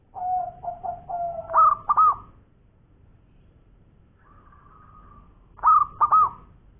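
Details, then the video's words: Zebra dove, local type, singing actively in the ngowor koar-koar style: a run of soft low coos leads into rolling pulsed notes, then after a pause a faint drawn tone and a second stuttering phrase. "Perkutut Lokal Gacor Suara Ngowor Koar koar"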